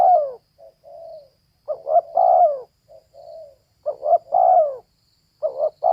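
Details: Repeated cooing of a female spotted dove: a loud falling coo, soft murmured notes, then stuttered phrases ending in long resonant coos, about every two seconds.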